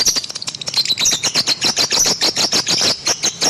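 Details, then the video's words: Pet lovebird twittering in quick pulsed squeaks and high chirps, a dense rapid chatter with slight scratchy tone. "KiCAU BURUNG LOVEBIRD"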